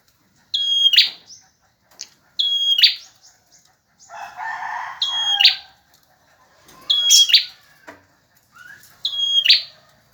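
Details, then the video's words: Male bar-winged prinia singing tirelessly, kept as a training song for other birds: crisp high whistled phrases with buzzy tails, about five across ten seconds, separated by short quiet gaps and a soft lower rasp. "Suara burung prenjak jantan gacor"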